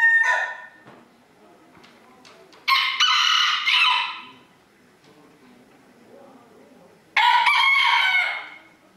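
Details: Crowing contest for roosters in Villers-la-Ville, 2022: a short crow at the start, then two loud, harsh crows about four seconds apart, with quiet stretches and faint background sounds between them.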